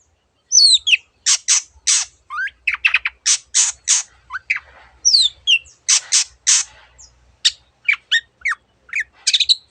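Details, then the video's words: Long-tailed shrike, Lanius schach, singing a lively gacor song rich in variants of other birds' sounds. Harsh rasping bursts mixed with thin descending whistles and short chips, delivered in irregular clusters with brief pauses. "cendet gacor masteran untuk burung yang susah bunyi banyak varian suara burung lainya"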